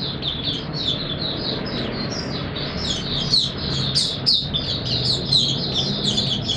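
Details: White-eye in warm humid weather, 20 March 2022, giving a steady stream of thin, high twittering notes, partly masked by a constant low rumble of background noise.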